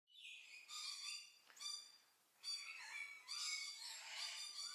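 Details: White-necklaced partridge recorded close up, giving harsh, buzzy calls with a thin steady whistle beneath, in three bursts separated by short pauses, the last longer and rougher.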